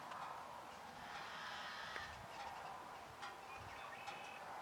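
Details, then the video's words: Yellow-headed blackbirds give harsh, raspy, buzzing calls that run almost continuously, broken by a few short, sharp notes over a steady hiss. "yellow-headed blackbird calling"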